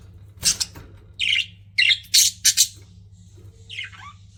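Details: Pet budgerigars giving scattered squawky chirps, some short and scratchy, others bending downward, with pauses between bursts in a quiet room.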